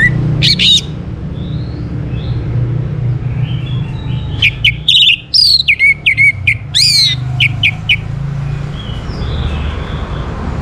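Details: Varied orange-headed thrush song for drawing other birds into song: scattered sharp notes, then a dense burst of whistles, downslurred chips and rapid trills over constant low rumbling noise.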